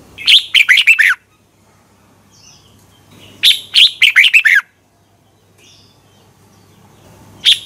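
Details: Red-whiskered bulbul singing in competition style to stimulate other birds in morning training: loud rapid bursts of five or six chirpy whistled notes, repeated about every three seconds, with faint distant chirps between.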